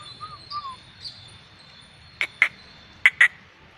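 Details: Black-winged myna, described as having a yellow crest, singing persistently: faint short whistled notes at the start, then two pairs of loud, harsh, broadband chattering bursts near the end over a low steady hum.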